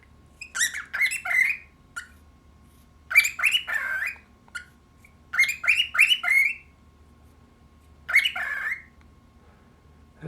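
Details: A pet cockatiel, prompted to talk to a plate held up to him, chatters in raspy, squeaky bursts, each bout a quick run of scratchy, speech-like syllables.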